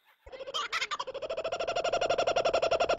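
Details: Kookaburra call that sounds like human laughter: after a few rough opening notes, a steady, rapid rolling series of hollow 'koo' pulses, around four per second, evenly spaced and sustained at the same pitch.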